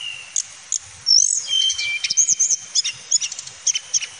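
Male Snowy-browed Flycatcher singing: thin, very high whistles and quick sharp notes, some drawn out, others clipped and repeated in short bursts.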